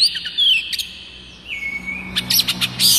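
Oriental magpie-robin song: a high sweet whistle, a long level note and a sliding whistle, broken by sharp scratchy chattering bursts.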